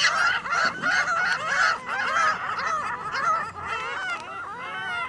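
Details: Flock of gulls on a Michigan City parking lot, many birds calling at once with nasal, wavering cries and laughing notes in a continuous loud jumble.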